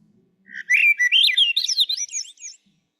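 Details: A Swainson's Thrush in Maine in spring, a species that sings loudly from deep-wooded territories, gives one flute-like phrase of quick whistled notes spiralling upward in pitch over about two seconds, ending thin and high.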